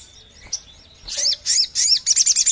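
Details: Sogon bird, a call played to lure other sogon birds; high, slurred whistles that rise and fall, then a quick run of sharp repeated chips; a quiet background.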